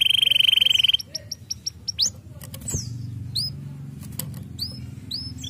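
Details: Canary song opening with a rapid high rolling trill, then sparse whistled upslurred and downslurred notes with wingbeat-like rustles and a low background hum.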